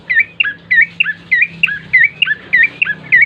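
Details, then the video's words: Lively bar-winged prinia song played as a lure to get birds singing fast: loud, evenly spaced chirps that dip in pitch, about three per second, with a faint low hum behind. "pancingan prenjak coki GACOR❗ agar cepat bunyi"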